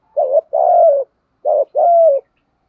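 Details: Cooing spotted doves, male and female, meant to stir wild doves to call: two phrases, each a short wavering rising note followed by a longer steady coo that falls at the end.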